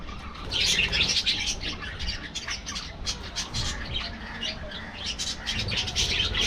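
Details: Captive budgerigars in an aviary colony squawk and chatter loudly. Harsh high notes swell at the start and the end, with a continuous murmur of chirps between them.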